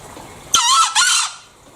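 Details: Green junglefowl of Bali giving a loud, hoarse double crow, two rasping broadband bursts close together lasting under a second, then near silence.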